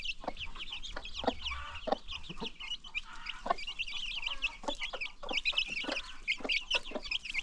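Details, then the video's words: Free-range chickens and their new baby chicks on a farm: steady high peeps from many chicks, punctuated by short, low clucks from adult birds. "new baby chicks"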